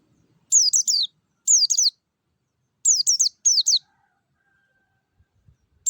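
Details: White-eye (pleci ngalas) lure song meant to get caged birds singing quickly: clear, high whistled phrases of three or four rapid descending notes, delivered in short bursts about a second apart, with near-silent background.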